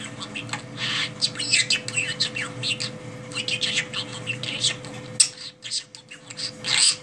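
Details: A budgerigar standing on one leg chatters in a fast, high warble of chirps, squeaks and clicks with brief pauses, over a steady low electrical hum.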